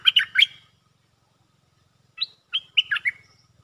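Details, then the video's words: Stripe-throated bulbul in a cage, song played for luring: an opening burst of three quick bubbly notes, a pause of over a second, then a rising whistle and a second warbled cluster, with a low hum underneath. "Suara pikat merbah lekir gacor"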